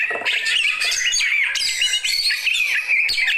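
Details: Oriental magpie-robin, a fighter-type bird reacting to another bird: loud, continuous, rich song of varied whistles, warbles and harsh rasping notes, packed densely with no pauses.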